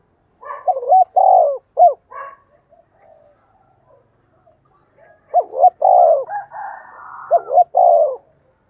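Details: Experienced decoy spotted dove giving its urging, luring coo: two mellow phrases of short clipped notes running into a long, warm coo, separated by a quiet gap with soft murmurs.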